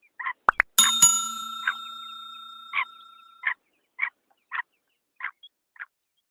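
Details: Female black francolin call used to excite and attract males: a run of short, clipped notes spaced about half a second apart. Early on, a ringing metallic bell-like tone lingers and fades.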